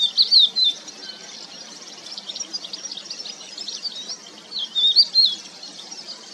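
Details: Crested lark (Galerida cristata) giving short bursts of clear, high, slurred whistles early on and again after a pause, with a soft, busy chatter of thin notes and faint ambient hiss throughout.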